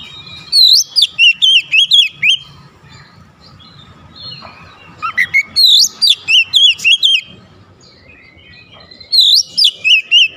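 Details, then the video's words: Oriental magpie-robin challenging a rival, delivering three loud bursts of quick, repeated, wavering whistles, each burst holding several notes in close succession, with subdued rustling between the bursts. "PANCINGAN KACER LANGSUNG GERTAK LAWAN | LAWAN PUN BALAS GERTAK GACOR BONGKAR ISIAN"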